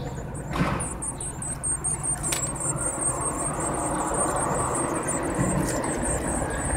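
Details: Young Eurasian blue tits, seven to nine days old, being fed: after a loud scrape at the start, a rising chorus of thin, shrill, rapidly repeated squeaks runs over a low humming background.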